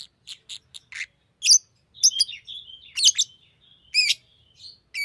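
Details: A green lovebird mixes soft short chips with louder shrill, squeaky chirps and a few thin whistled slurs, delivered in an irregular chattering sequence.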